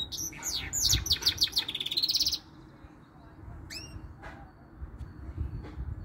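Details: Goldfinch mule with canary notes in its song opens with a fast burst of falling chirps that runs into a buzzy trill, followed by a few isolated high calls over low background murmur.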